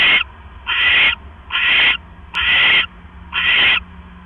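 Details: Owl on a nest cam, 18 October 2015 at 7:24 PM. The female swallows a rat her mate brought, then settles down to sleep. Five breathy, rasping screeches come evenly spaced, slightly slower than once per second.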